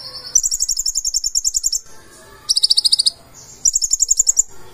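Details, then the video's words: Lively full-isian song of a purple-throated sunbird: a long rapid high trill, then a denser double-toned trill, then another rapid run, each separated by brief quiet gaps. "KONIN GACOR FULL ISIAN"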